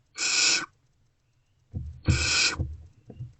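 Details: Barn owls in a nest box at night on 28 February 2024 during food deliveries; two separate rasping hisses about a second and a half apart, the second accompanied by thuds and scraping movement.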